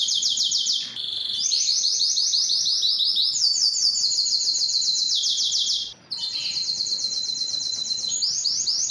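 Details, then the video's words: Canary song, Belgian and Spanish timbrado types, used for song training: long rapid trills of fast repeated notes, each trill held for a second or more, switching pitch between phrases with a brief gap near the end. "canto de canário belga - canto de canario timbrado español - canto do canário belga"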